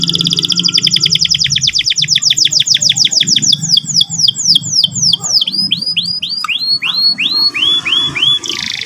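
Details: Morning canary lure song, given to spur birds into quick trilling and rolling song: a long series of repeated downward-sweeping whistled notes, fast and dense at first, then slowing into spaced, looping slurs, over a faint low hum.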